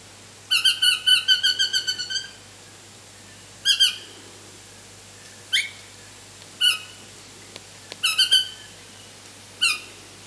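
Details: Pale-headed rosella baby being fed and demanding lunch: a rapid chattering series of about ten harsh nasal notes fading off, then spaced single and paired squawks roughly every one to two seconds, over a faint hum.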